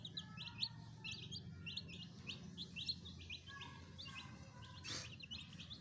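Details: Pet chicks peep in quick bursts of thin, high, downslurred notes, often in pairs and threes. A brief hissing burst comes near the end, and a low background hum persists throughout.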